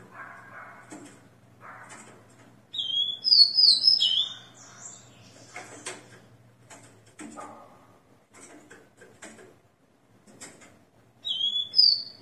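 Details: Leg-ringed rufous-collared sparrow kept by a breeder, singing at 6 a.m. on 29 September 2021 after moulting. Two clear whistled phrases of high, slurred notes, separated by about eight seconds of soft clicks and knocks.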